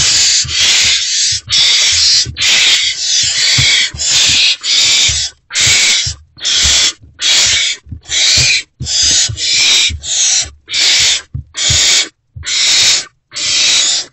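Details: Hungry great horned owl owlets in a nest box at about 5:30 am, 3 March 2024, respond to a returning adult with a rapid train of harsh, rasping hiss-screeches, roughly one per second, some overlapping.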